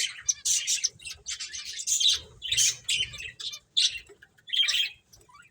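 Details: Lively finches at play give repeated bursts of high, scratchy chirping, roughly one burst every half second with short silences between.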